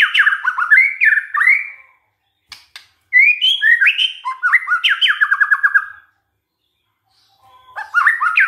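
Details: White-rumped shama song used as a lure to provoke other shamas into singing: loud bursts of rich, slurred whistles rising and falling, with a fast run of descending repeated notes mid-clip, separated by silent pauses and a few sharp clicks.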